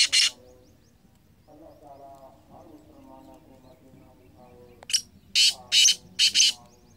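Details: Black francolin, or kala teetar, recorded in 2023. A single harsh note opens, then a quiet stretch with faint low murmuring. Next comes a quick run of four rasping, scratchy bursts, roughly half a second apart.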